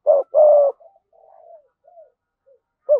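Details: Spotted dove, 'thổ sấm' voice, gives a strong two-note coo, a short hoot then a longer level one. Softer trailing murmured notes fade out afterwards, and a new coo begins at the very end.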